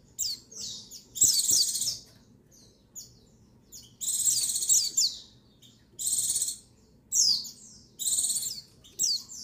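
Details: Calling female white-eye, recorded 22/6/21, used to get males singing: buzzy pulsed trills repeated about every two seconds, separated by short sliding chips.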